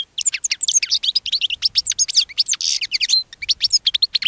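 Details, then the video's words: Fast liquid twittering from a caged European goldfinch, with a linnet also present. Dense high chirps and short slurred notes run almost without pause, and a brief harsher, buzzier burst comes midway. "Caged GOLDFINCH Singing Interrupted by LINNET"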